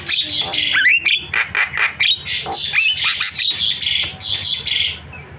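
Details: Starling call used to lure silent starlings into calling: a steady run of short, harsh, hissing squawks roughly twice a second, with a few whistled slurs near the start.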